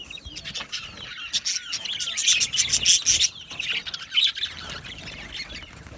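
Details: Budgie parrots chirping in a continuous, busy stream of raspy chatter and thin whistles that swells loudest midway and then fades.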